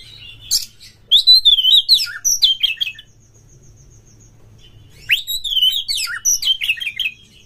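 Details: Stimulating song of an oriental magpie-robin, intended to make caged magpie-robins sing and fight: two long, lively runs of slurred whistles and high twitters, with a quiet pause in between.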